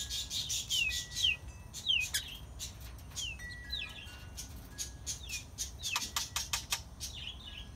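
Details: Lovebirds chirping continuously: dense high chirps mixed with quick downward-swept squeaks repeated every second or so, over a steady background hiss.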